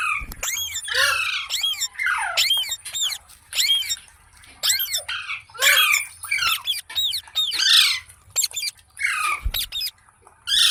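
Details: Pet ringneck parrot giving a long run of shrill, harsh squawks, many with rising and falling bent notes, in quick uneven bursts with brief pauses, with a faint steady hiss behind.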